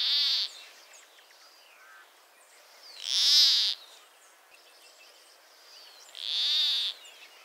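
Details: Endangered Peruvian plantcutter in northern Peru giving three harsh, nasal, frog-like buzzing notes about three seconds apart, with faint chirps of other birds between them.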